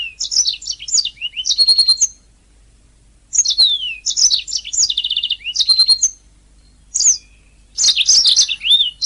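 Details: Canary song kept as a master recording for training other singing canaries: bursts of bright, rapid trills and warbled, whistled phrases with swooping notes, broken by short silences roughly every two seconds, with no other sounds.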